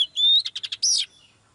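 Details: Short phrase from a female Oriental magpie-robin singing to bring a male into song: a steady rising whistle, a quick series of buzzy pulses, then a loud high squeal.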